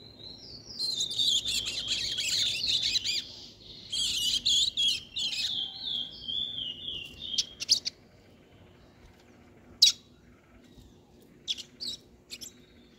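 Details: Young chestnut-bellied seed finch, two months old, learning its song in fast rhythm: bursts of rapid high twittering and a falling series of whistled notes, then scattered short chips separated by quiet gaps.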